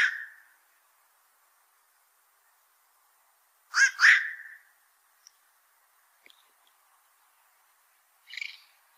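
Black-crowned night heron giving harsh, barking 'quok' calls: one, then a quick double a few seconds later, then one more, with quiet between.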